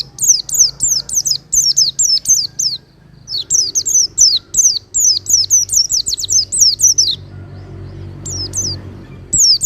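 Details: Long, energetic Oriental white-eye song meant as master audio for cage birds: dense runs of high descending whistled notes, roughly twenty, in several phrases, trailing off into quiet hiss.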